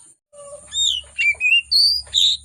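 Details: Agitated oriental magpie-robin singing a richly varied song, used as a lure to prompt reluctant magpie-robins to sing: loud clear whistled phrases, some sliding down and others rising, in five bursts over two and a half seconds, with a faint low hum beneath.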